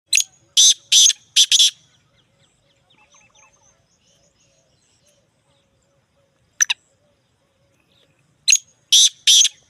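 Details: Black francolin (black teetar) calling in Punjab; loud harsh, grating bursts in a series of three, a quiet gap with faint distant chirps and one short sharp note, then another series of three rasping bursts.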